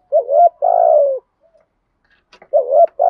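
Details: Spotted dove used as a decoy bird, giving the urging coo in the earthy voice style; low mellow coos around mid pitch, two notes then a pause, with a few faint clicks before the coos resume.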